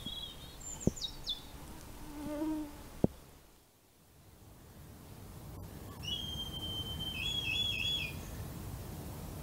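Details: Two red kite chicks under their roost at first light in early August, constantly calling for food: thin high whistles with a longer wavering whistle in the second half, over a steady background hum and faint calls of other birds.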